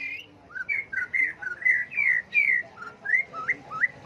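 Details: Clear whistled song of a white-rumped shama, full of changing phrases, used to goad birds into song contests; short looping whistles repeat about twice a second, some rising, some falling.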